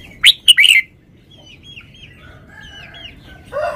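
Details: A caged red-whiskered bulbul delivers three loud, sharp, ringing notes in quick succession. Quiet whistled twitters follow, and the clip closes on a buzzy lower note.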